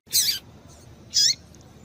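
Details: Female double-collared seedeater giving calls meant to stimulate a male: two brief, bright, high notes about one second apart. A faint hiss sits underneath.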